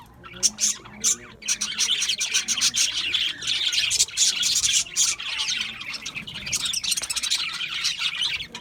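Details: Parakeets, budgerigars, in a noisy flock chorus, harsh squawks and thin high chirps layered into a constant chatter with a few louder peaks.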